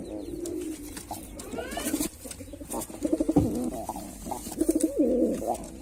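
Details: Male white pigeon performing, with low rolling coos throughout, a sharp knock midway, and stronger wavering coos near the end over steady background noise.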